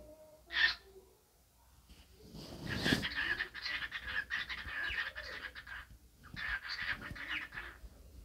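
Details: A cockatiel dancing and talking: a sharp chirp first, then a noisy thump, followed by several seconds of raspy, broken, speech-like chatter in short phrases.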